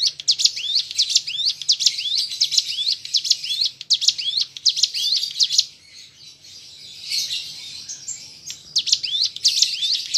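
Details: Hill prinia song used as a lure to make kept birds sing: fast, high, chirping phrases of sharp repeated notes, pausing briefly near the middle before starting again.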